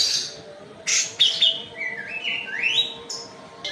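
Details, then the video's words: White-eye (kapas tembak) from Medan singing: sharp high chirps followed by a stepped series of whistled notes ending in a clear rising slide, then more chirps. "KAPAS TEMBAK MEDAN GACOR ISIAN SUARA PEDAS NGEROLL SPEED NEMBAK EDAN"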